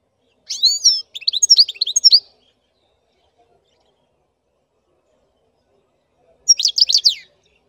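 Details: Black-headed goldfinch singing: a rapid, high twittering phrase of tinkling, slurred notes lasting about two seconds, a long silence, then a shorter burst of the same bright, jangling twitter near the end.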